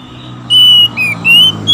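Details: Male and female Oriental magpie-robins answering each other in captivity: three clear whistled notes, a long level one, a short dipping one and a rising one, over a steady low hum.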